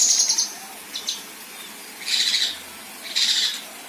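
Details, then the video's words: Female Kinoi in a 'besetan' and rough-shot sequence used to tutor contest birds: a brief high trill opens, followed by two harsh, scratchy hissing rasps about a second apart. "Besetan Dan Tembakan Kasar Kinoi Betina"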